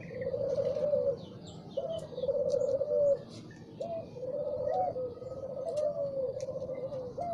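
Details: Morning song of a spotted dove: a gentle sequence of rolling coos in repeated phrases, quieter and more distant, while other small birds chirp faintly in the background.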